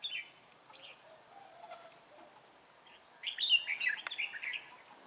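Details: Red-whiskered bulbul decoy in training, luring wild birds toward a trap, 11 December 2016: a few faint chirps, then a loud, fast tumbling warble in the latter half.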